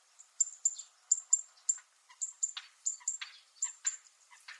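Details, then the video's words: Metallic calls of a zitting cisticola (fan-tailed warbler) on Miyako Island, Okinawa, Japan: clipped high tinny ticks repeated several times a second, mixed with short scratchy buzzy notes midway. "セッカの金属的な鳴き声 Fan-tailed Warble makes a metallic sound"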